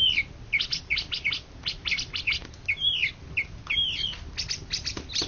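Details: Champion greater green leafbird from Indonesia, 2013–2014, delivers quick slurred whistles and twisting notes, broken up by rapid dry clicks and ticks throughout.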